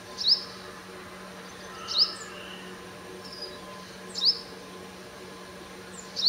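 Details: Dawn song of a sunbird at 5:30 AM. Four short, sharp, high falling notes come roughly every two seconds against a faint continuous background hum.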